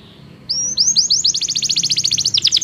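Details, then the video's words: Belgian canary singing as training for canaries that do not sing: a quick accelerating trill of short rising notes building into a dense, bright rattle, against low background noise. "Canto de canário belga - treinamento para canários não cantores"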